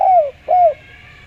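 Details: Spotted dove giving a clear voice meant as a lure to draw other doves, two mellow cooing notes, each sliding gently downward, separated by a short pause, over a quiet background.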